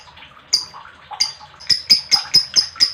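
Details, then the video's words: Lovebird chirping, played to rouse other lovebirds: sharp high clicks that speed up into a series of piercing chirps, roughly two per second, over softer twittering. "Lovebird Chirping Sounds"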